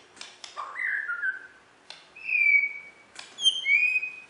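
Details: Clear, pure whistles from a caged contest-winning white-rumped shama of Borneo, West Kalimantan. A falling warble is followed by a long, level, ringing note and a rising whistled phrase, with dry clicks between them.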